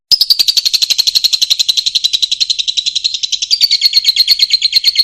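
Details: Fischer's lovebird singing, used to teach young birds to sing: a fast, continuous run of high, buzzy chirps, about two per second, steady for five seconds with a slight shift in tone near the end.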